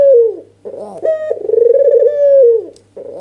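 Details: Red-eyed white dove, also called albino, calling in an agitated nodding display meant to lure a lazy dove into answering: a short falling coo, then a long rolling, throbbing coo that ends with a downward slide, over a low steady hum.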